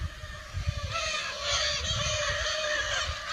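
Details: Lear's macaws, free-flying in the wild in Brazil, give a continuous stretch of harsh, rasping calls from several birds, with scattered low thumps below.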